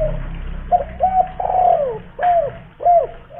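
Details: Local spotted dove from Kuningan, West Java, a big-voiced lure bird meant to set other doves calling. Mellow cooing phrases of short notes and a longer drawn-out downslurred coo, clear and close.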